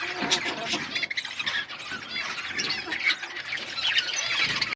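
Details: Flock of colourful budgerigars in an outdoor aviary, chirping: dense overlapping chatter of many birds, warbled twitters and squeaky notes mixed with rustling and wing flutters.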